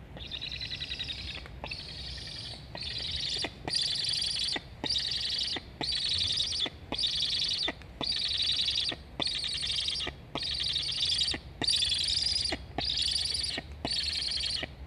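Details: Wild black stork chicks at an Estonian nest, live nest camera, 26.08.21, both chirping to be fed; a dozen raspy, buzzy bursts repeated about once a second in a steady rhythm.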